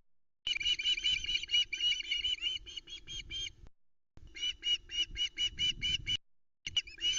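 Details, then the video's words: Juvenile ospreys screaming for fish at the Loch Arkaig nest, 17 August 2020, nest cam: long runs of rapid, piercing, high screams, several per second, broken by two short pauses, with wind and nest rustling beneath. "Vociferous Vera gets a fish delivered to the Loch Arkaig Osprey nest"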